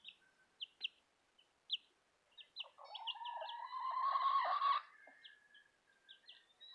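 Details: Young Southern Rambler and Golden Comet chicks give short, high peeps in an irregular series, with a longer, broader sustained sound swelling in the middle of the clip before the peeps resume.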